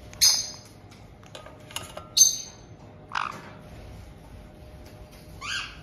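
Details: Resident pair of caged white-bellied caiques in Tokachi, Hokkaido, welcoming a two-month-old newcomer, June 2023; sharp piercing squawks spaced about two seconds apart, with a lower croaky note and faint clicks between.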